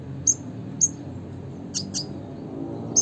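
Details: A red siskin (Spinus cucullatus) utters its classic call, a series of short, very high, thin chips at irregular intervals about half a second apart, with faint low-pitched background noise.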